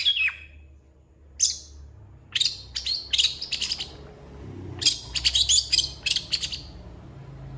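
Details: Long-tailed shrike pouring out a song packed with imitated phrases: a falling whistled note, a lone high chirp, scattered scratchy bursts, then a fast dense cluster of sharp high chirps.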